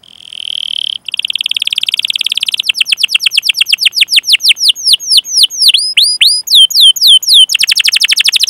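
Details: Canary song used as a training recording to stimulate other canaries, with long chirping rolls: a sustained high trill, then fast repeated sweeping whistled notes dropping in pitch, ending in a rapid buzzy trill.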